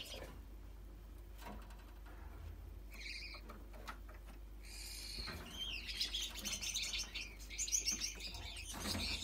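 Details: A young single-factor yellow male Gouldian finch, split blue, sings to attract females: a thin, high, hissing and squeaky song that builds into a dense burst of buzzy notes, over a low steady hum.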